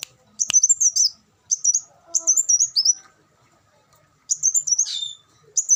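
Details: High-pitched, sputtering twitters from an olive-backed sunbird in short rapid bursts. One phrase ends in a downward squeaky slur, with quiet pauses between phrases.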